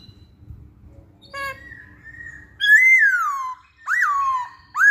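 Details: Masked laughingthrush singing as a lure for other birds: a harsh note leading into a long steady whistle, then loud downward-slurred whistles separated by brief gaps.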